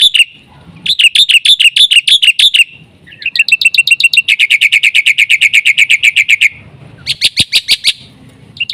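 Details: Black-winged myna singing in full fill-in style, a lure for tutoring other mynas. Fast trains of piercing chattered notes, one long unbroken run in the middle, then a few clicks before the chatter resumes.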